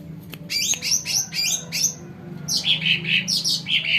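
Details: Sumatran cucak ranting singing, used to lure wild birds: high chirped notes in quick bursts, first swooping phrases then a run of bright repeated chips.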